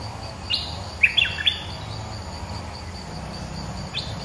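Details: Bulbul lure call: a few short, bright chirping notes, a quick cluster of three then a single note after a pause, over soft background hiss.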